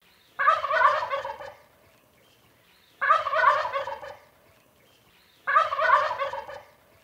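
A wild turkey gives three loud, rapid, rattling gobbles, each about a second long and spaced roughly two and a half seconds apart.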